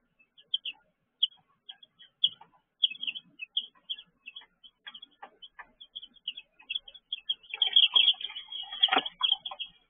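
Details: Baby chicks in a brooder, 6 pm, June 2023: continuous high peeping, growing denser toward the end with loud scratching and rustling noise.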